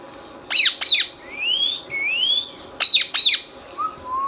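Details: Green Indian ringneck pet parrot indoors: pairs of harsh high squawks frame two long rising whistles, followed by a soft low whistle at the end.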